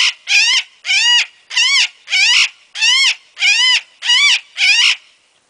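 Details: A pet Illiger's macaw showing its wild side gives eight loud, harsh, grating squawks in a steady series, roughly one every two-thirds of a second, with no other sounds.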